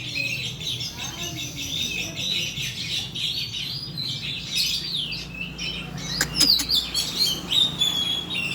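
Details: Oriental magpie-robin song used as a singing lure. A long scratchy warble of quick chattering notes ends in clearer ringing whistles and sharp clicks, with a low steady hum behind.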